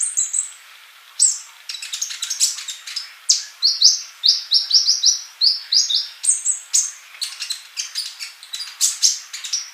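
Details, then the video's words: Sustained sunbird singing: a long series of high sweet notes repeated in rhythmic runs, interspersed with rapid ticking chirps and thin whistles. "MASTERAN UNTUK BURUNG COLIBRI GACOR"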